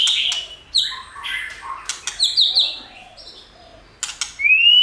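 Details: Stimulating song of a White-rumped shama for training: clear high whistles and harmonic notes in short groups, quick descending flourishes, and a final rising whistle.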